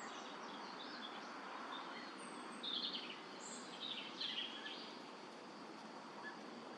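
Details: European bee-eaters in La Brenne, France, in 2023, give a few short, rolling, burry 'prruip' notes around the middle of the clip, partly masked by steady hissing wind or background noise.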